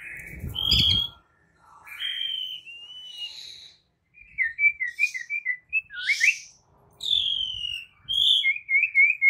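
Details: White-rumped shama song used as bait to set other shamas singing. Sustained whistles and quick trilled notes, with sharp rising sweeps and a low rumble at the start.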